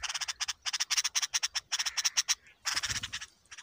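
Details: Young bulbuls begging while being fed a large worm: a loud, rapid train of harsh rasping pulses, repeated almost without break, a brief gap, then another dense burst fading out.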